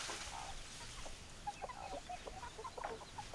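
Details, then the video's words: Chickens, hens clucking: a flock giving short, repeated mid-pitched clucks and soft murmurs in quick irregular succession over a steady background hiss. "Chicken Sounds Noises Hens Clucking Roosters Crowing"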